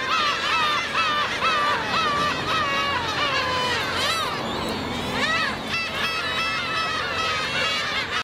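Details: Black-tailed gulls, adults attacking a chick, filmed on a 4K camcorder: a series of clear, falling mewing cries at first, then overlapping wails and brief yelps, over a continuous background of many further gull voices.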